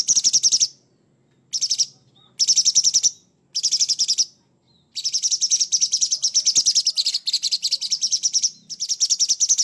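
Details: Harsh, rough song of a Sooty-headed bulbul in gacor mood: a string of grating, rapidly ticking bursts, short ones at first, then a long unbroken rattle of over three seconds, followed by one more burst.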